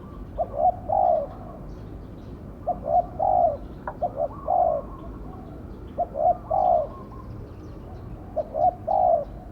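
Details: Lure spotted dove calling from a trap cage to attract wild birds; four spaced phrases of mellow, low cooing, each a quick short note followed by a drawn-out coo, with a faint click between phrases.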